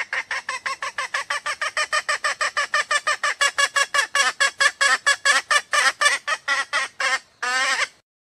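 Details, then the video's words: A red junglefowl hen, whose call is used as a lure to draw males near or make them crow, gives a fast run of about thirty harsh clucking notes, roughly four a second, ending in one longer, drawn-out squawk. "Suara Ayam Hutan Betina"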